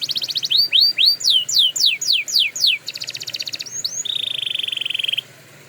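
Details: Canary song for training: a dense trill, a series of loud sweeping slurs, a fast roll, then a long steady whistled tone that stops abruptly.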